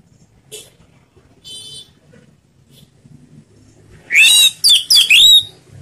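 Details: Slow ngeplong song of an orange-headed thrush, played to stimulate a non-singing bird: faint scattered chirps, then a burst of four strong, slurred whistles with rich overtones in quick succession.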